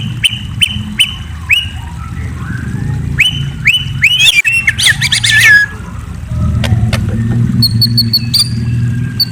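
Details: White-rumped shama at night: spaced clear whistled notes with clicks, then a dense tangle of rapid varied notes, a quieter stretch, and high thin repeated notes near the end, over a low hum.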